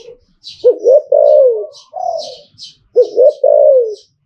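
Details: Zebra dove song of the liu tan style, two bubbling coo phrases built from quick looping notes ending in a long downward-sliding coo, faint high chirps of other birds above.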